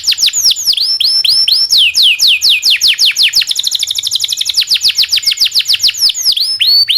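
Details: Long, rolling song of a local canary used to train other songbirds; continuous fast descending whistles that speed into a dense trill midway, then slow to wider swooping notes.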